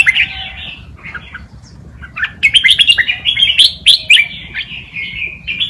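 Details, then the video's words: Red-whiskered bulbul tutor bird singing a forest-style song to teach young birds; mellow slurred notes, then a rapid run of bubbling whistled phrases ending in a lower drawn-out whistle. "นกกรงหัวจุก นกครูเพลงป่ามาลูติน เปิดสอนลูกนกก๊อฟติดง่าย"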